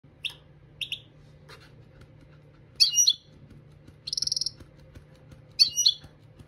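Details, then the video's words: European goldfinch song used for song training: short high chirps and twittering phrases spaced apart, then a buzzy, rapidly pulsed trill, over a faint steady low hum. "Chardonneret Dressage Maknin"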